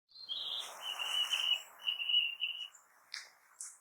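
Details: Narcissus flycatcher singing in a forest: clear high whistled notes, held steady and slightly buzzy, then brief sharp higher chirps near the end, in otherwise quiet surroundings.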